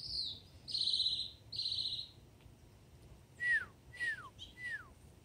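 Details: Mockingbird serenade: loud buzzy whistled phrases, then three clear whistles, each sliding sharply downward, spaced about half a second apart. Quiet background.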